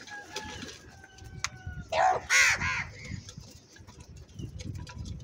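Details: Crow calling loudly in anger: three harsh, grating caws in quick succession, the middle one loudest. Earlier, thin whistled notes from another bird are heard, with low background rumble.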